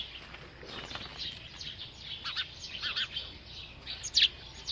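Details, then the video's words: Sparrows in a village, recorded naturally without editing while playing and bathing; scattered short, high chirps come in loose bursts, with a louder sharp note near the end over a faint background hiss. "sparrow chirping sound & sparrow playing & bathing"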